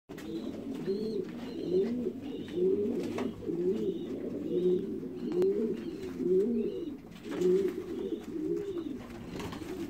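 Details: Pouter pigeons indoors giving low, rolling coos, each a short rising-then-falling swell repeated about once a second, several overlapping in a steady chorus, with a faint low hum beneath.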